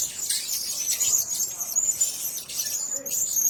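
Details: Blue-crowned hanging parrots kept together in one cage, giving a dense, continuous stream of thin, very high-pitched twittering chirps with no pauses, the calls overlapping throughout.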